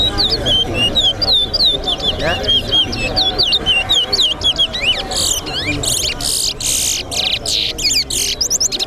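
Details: Towa-towa seed finch singing during a bird race competition: fast series of clear whistled slurred notes, several per second, breaking into harsh buzzy rattles in the second half, over crowd chatter and music.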